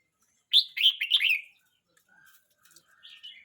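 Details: Young Red-whiskered bulbul, 12 months 29 days old, gives a loud rollicking phrase of several slurred, chirpy notes, followed by faint scattered notes and a quieter closing warble.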